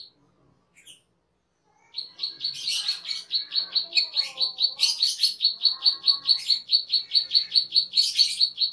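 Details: Cucak keling, a cage bird, singing gacor for masteran training: sharp chirps near one pitch repeated about twice a second in a steady run, with brief buzzy higher bursts mixed in, after a short quiet opening.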